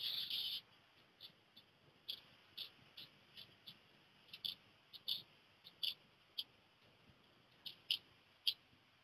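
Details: Black redstart chicks leaving the nest one after another. A short, high, sharp call repeats irregularly, roughly every half second to second, after a louder opening burst, over a faint, steady background hiss.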